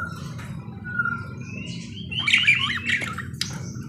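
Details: Parakeet warbling with thin whistles leading into a busy burst of twisting squeaky notes and clicks, low background hum throughout.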